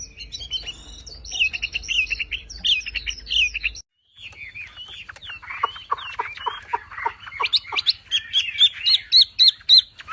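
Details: Javan pied starling song in tutor style, full of rapid 'tembakan' bursts: a high chattering run, a brief pause, then a series of sharp descending notes, followed by fast rising whistles repeated several times per second.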